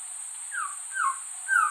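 White-rumped shama giving three rich, slurred whistles about half a second apart, the first falling and the last two steadier, over a faint constant high hiss.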